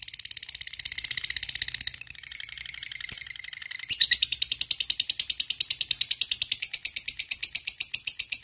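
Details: Lovebird used as a lure recording to call a rival, giving a long rapid 'ngekek' chatter: dense high buzzy trills, a break near two seconds, then a steady fast pulsed run of roughly two notes per second-fraction to the end.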